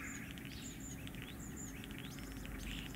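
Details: Common starling during courtship and mating: a varied medley of thin high whistles, some slurred downward, mixed with quick clicks and buzzy chatter, over a steady low rumble of background noise.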